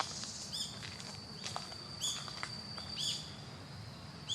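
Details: Female Narcissus flycatcher gives short, thin, high chirps in small clusters about a second apart, over a steady hiss of background noise.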